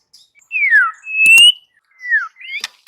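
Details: White-rumped shama song: a clear slurred whistle falling in pitch, then a steady higher whistle, another falling whistle and a short rising note, with sharp clicks between the phrases.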